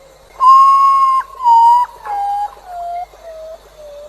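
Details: A potoo gives a mournful, ghostly whistled moan often heard at night: about six slurred notes, each lower than the last, sliding down the scale over four seconds.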